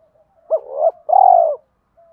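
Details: Spotted dove cooing in a lure-call style meant to draw wild doves: a faint lead-in, a low two-part wavering coo, a brief pause, then a longer, steady, slightly falling coo lasting about half a second. Quiet background.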